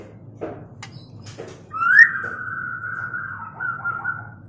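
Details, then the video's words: A long drawn-out whistle from a mating white-rumped shama: it rises sharply, then holds level and slowly wavers downward, with a few soft taps before it and a low background hum. "Terapi MURAI BATU KAWIN"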